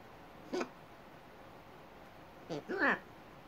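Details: Hyacinth macaw kept as a pet, enjoying being outside on a balcony and attempting to say its name: one brief throaty syllable, then after a pause two louder, rising-and-falling, voice-like squawked words.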